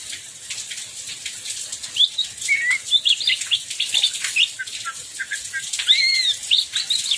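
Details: Oriental magpie-robin in a heavy downpour, singing softly behind loud rain hiss: short whistled slurs and warbled phrases coming in scattered bouts.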